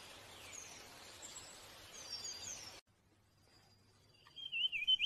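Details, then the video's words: A blue-headed, orange sparrow gives faint high chirps over steady hiss, then after a brief cut a short, bright warbling run of quick notes. "Blue Head Orange Sparrow Chirping"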